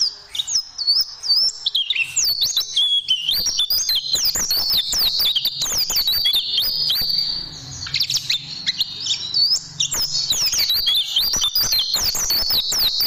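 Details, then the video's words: Extended white-eye tutoring song for caged birds: a nonstop, busy chatter of high sliding chirps and trills, with a slight dip in intensity midway. "Masteran Burung Pleci Dan Tembakan Super Ampuh Pleci Juara"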